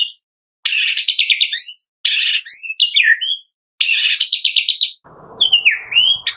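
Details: White-rumped shama singing in the morning, a recording meant to set captive birds singing: three loud bursts of rich descending trills with high twittering, separated by pauses, ending in a sweeping slurred whistle over faint low noise.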